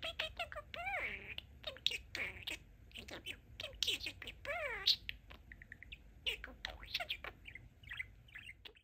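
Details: Pet budgerigar talking, saying "peeka peeka peeka good bird" while chatting with its owners. Rapid warbled chatter of harmonic syllables with rising and falling sweeps runs almost continuously for five seconds, then thins into scattered short chirps and clicks.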